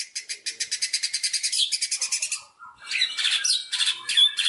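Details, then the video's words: White-rumped shama from Indonesia, used as a lure to set other birds singing: rapid harsh buzzy notes repeated about three per second, then a pause and a burst of varied whistles and chattering. "Pancingan burung murai batu"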